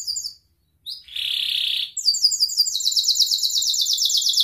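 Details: Canary song used as a lure to prompt young canaries to learn singing and as therapy for canaries that stopped singing: brief high whistles, a silent gap, a harsh buzzy rasp, then long fast rolling trills of sharp high chirps.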